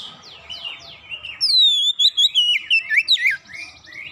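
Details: Oriental magpie-robin song used as a lure to get birds singing: soft descending whistles, then a loud run of clear, sweeping whistled notes rising and falling in quick succession.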